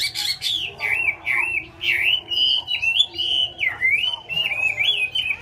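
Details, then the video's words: Chinese hwamei in song: a long, continuous string of rich, warbling whistles that swoop up and down, phrases pulsing roughly every half second, over steady low hum. "chim họa mi"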